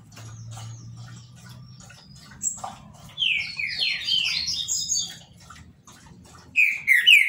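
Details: Green-winged Saltator (trinca-ferro), Paraná, a legally kept cage bird: a burst of rich whistled notes mid-clip, then a clear descending whistle at the end, with soft high chirps and a low hum between phrases.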